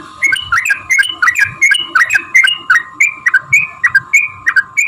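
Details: Long fighting song of a yellow-vented bulbul, meant to goad other bulbuls to answer: short liquid, up-and-down whistled phrases repeated about three times a second over a steady high hum and faint clicks.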